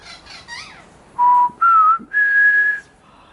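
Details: Wild pied butcherbirds from a family of five visiting a garden in the morning sing out to each other while a smaller butcher bird harasses them. The song is pure, flute-like notes: quick rising slurs, then three long, steady whistles, each slightly higher.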